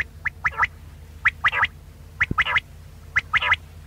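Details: Quail calling in a lure recording for hunting. Quick three-note phrases repeat about once a second, one sharp note followed by a rapid double. A steady low hum sits in the background.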